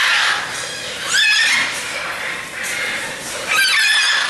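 Macaws give harsh, raspy squawks, two loud bursts about two seconds apart that rise and fall in pitch, over a steady background of other bird chatter.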